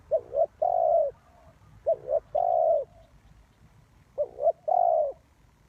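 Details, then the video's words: Spotted dove used as a ground lure for trapping, cooing low and mellow: each phrase is a quick doubled note followed by one longer, fuller coo, repeated three times about two seconds apart over a quiet background. "The Cu Gáy Mồi Đất"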